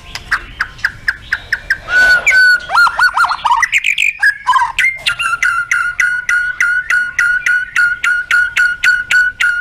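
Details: White-rumped shama song with full filler: a few short chips, a buzzy rasping flourish, then a fast run of crisp identical notes repeated about four times a second, steady in pitch for several seconds.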